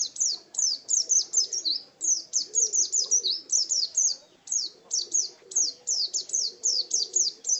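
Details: High, bright twittering phrases of an Oriental white-eye in ngalas wild style, notes tumbling in short rapid clusters, while softer low murmuring sounds run along in the background.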